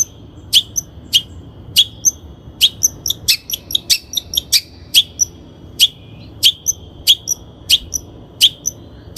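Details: Long-tailed shrike in a training lure recording: crisp high ticks repeated roughly every half second, each trailed by a steady thin whistle, with short chirps between them.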